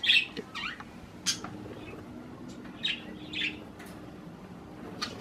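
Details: Budgerigars feeding on cherry tomatoes make scattered short chirps and single sharp notes, spaced about a second apart over a low steady background hum.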